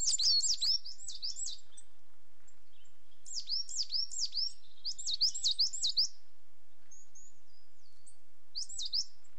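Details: Coal tit producing repeated bursts of thin, high, falling notes in rapid groups of three to five, separated by short pauses, with one last brief burst after a longer gap; background otherwise quiet.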